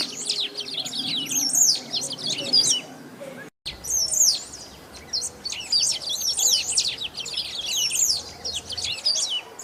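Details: Great pampa-finch (sabiá-do-banhado) from Brazil singing loudly without stopping: high, busy phrases of sharp chirps and twittering slurs, repeated roughly every second with a brief gap partway. Low background noise.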